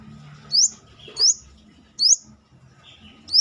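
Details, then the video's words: Brown-throated sunbird, called manggar, in full voice outside the cage: quick sharp upward-sweeping high notes repeated about every half to three-quarters of a second, each trailed by a softer lower note, over steady low background hum. "KORLAP (Kolibri kelapa)Manggar gacor luar sangkar...masteran besetan kerasa."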